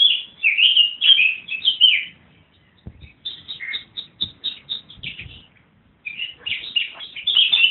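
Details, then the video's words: Birds in trees on railway land behind a Putney house at Easter 2014, giving rich warbled chirps, then a series of short repeated high notes, a short silence, and another burst of busy twittering song. "Birds singing"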